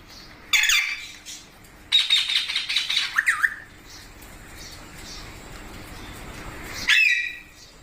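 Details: Green pet parrot, called mitthu, giving a sharp squawk, a rattling burst of harsh notes, then another squawk after a quiet pause, with an owner speaking to it.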